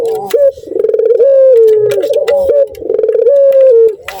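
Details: Male turtle dove in breeding condition calling on seeing a female: a low, steady coo with drawn-out level tones and a rapid bubbling laugh-like trill between them, loud and continuous, with clicks in a small room.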